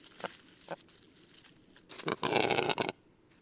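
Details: Lithuanian Western capercaillie male in song: two spaced hollow clicks, then quickening knocks leading into a harsh, rasping whetting phrase of about a second, followed by quiet.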